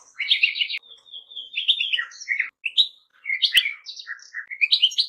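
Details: Twittering goldfinch song with a buzzy trilled phrase, a thin drawn-out whistle, then varied chirps and slurred notes, with a sharp click partway through.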